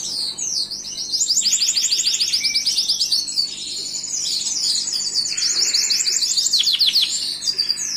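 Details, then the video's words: Gloster canary song, a continuous fast stream of high rolling trills and twittering phrases, with a lower buzzy tour in the middle and bright rapid notes throughout. "تغريد كناري جلوستر"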